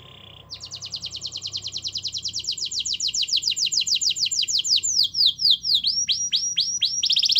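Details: Canary song used to prompt a quiet canary to sing: long rapid trill of repeated descending notes, speeding up, then slower swooping whistled phrases near the end.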